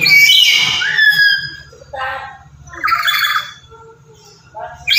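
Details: A lory known as very chatty and loud and used as a lure for other lories squawks harshly at the start, then gives shorter raspy calls over a steady low buzzing hum.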